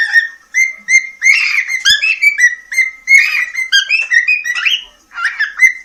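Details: A cockatiel kept as a pet in Poland and entered in a talking-bird contest sings to its beloved, a steady chain of clear whistled notes, mostly level with small rising steps, some slightly buzzy.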